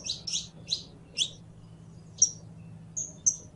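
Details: Song of a saffron finch: four quick, sharp chirps about half a second apart, a pause, then a single chirp and two drawn-out clear whistled notes, with a low hum in the background.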